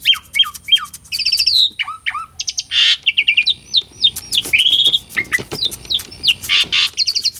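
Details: Asian pied starling's vigorous song, used as a singing lure: quick downslurred whistles, twittering trills, harsh rasping bursts and varied chirps in a continuous, rapid medley.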